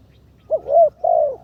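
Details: A single phrase from a spotted dove being trained as a ground decoy: a brief low note, then two longer mellow coos that gently fall at the end.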